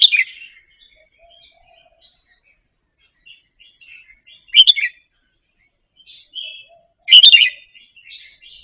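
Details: Caged Indonesian Red-whiskered bulbul gently practising its doubled song phrases, used to stimulate other birds to sing. A bright opening phrase, then two loud chattering bursts spaced well apart, with light twittering notes filling the gaps.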